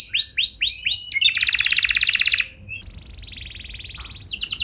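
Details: Canary lure song for coaxing other canaries to sing: a few swooping whistles, then a loud buzzy rolling trill, a softer steady buzzing tour, and a renewed rapid trill.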